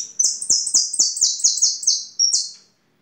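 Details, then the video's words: European goldfinch singing a rapid series of loud, high, downslurred notes, about four per second, with a brief thin whistle between phrases and faint clicks beneath; ends in silence. "Jilguero de canto"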